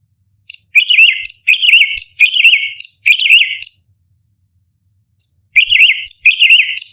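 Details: Cucak cungkok, the orange-bellied leafbird, delivering 'tembakan' song as a tutor recording for competition songbirds: four bright phrases of a high piercing note followed by a fast rolling warble, a pause of over a second, then three more phrases.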